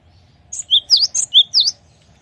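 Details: Cinereous tit (gelatik batu) in full song ('gacor'): one quick phrase of six clear notes that alternate higher and lower pitches, sharp and ringing, over a quiet background.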